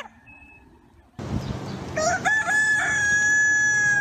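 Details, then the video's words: Farm rooster at dawn: faint sounds, then a burst of broad rushing noise, over which a crow rises into a long, steady, high tone. "Galo Cantando no Sitio ao Amanhecer - Rooster Singing Site"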